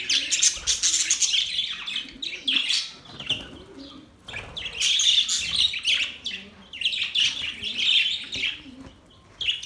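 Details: Budgies in a cheerful chorus, fast repeated chirps and twittering warbles in waves, rising and fading roughly every few seconds.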